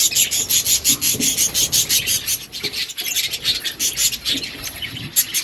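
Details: Lovebird breeding colony with a steady, rasping stream of high chirps from several birds, quick and slightly uneven, almost like scraping, throughout.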